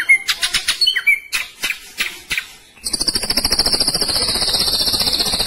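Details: Hanging-cage ashy drongo in 'roll tembak' style: a few sharp whistled and clipped notes, then a continuous high buzzy rattling trill sustained to the end.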